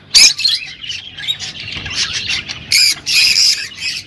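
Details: Rosy-faced and Fischer's lovebirds calling to encourage mating: harsh, scratchy squawks and shrill bursts, two loud outbursts near the end, with a low background murmur.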